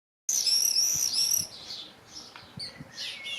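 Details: Two common swifts looking out of a nest box, recorded 17 June 2025, give shrill high screams in a dense burst lasting about a second, then fainter scattered screeches against low background rumble.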